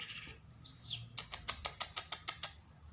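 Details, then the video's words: Trained, hand-tame lark singing in the open: one arched whistled note sweeping up and down, then a fast run of about nine sharp, dry clicking notes. "A trained lark bird singing open and hand tame ایک آزاد جل پرندےکی خوبصورت آواز"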